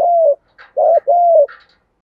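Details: Spotted dove coos, from a recording of male and female birds used to rouse and lure wild doves and to train decoys. Mellow, slightly falling coos, two of them drawn out, with faint higher chirps between them.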